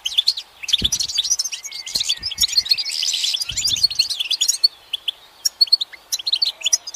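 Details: Goldfinch singing on a sunlit branch, a busy twittering outpouring with a harsh buzzy burst midway, then the song thins into scattered, separated chirps, with occasional faint clicks.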